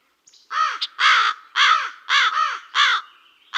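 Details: Crow cawing loudly and close, with hoarse, drawn-out rasping calls delivered in a ragged series of about five, some doubled, and a short higher note between the first two.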